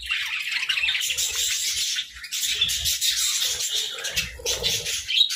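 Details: High, buzzy chirps and warbling chatter from budgies eating grass and moringa for winter health, continuing almost without pause, with faint low crunching from the food.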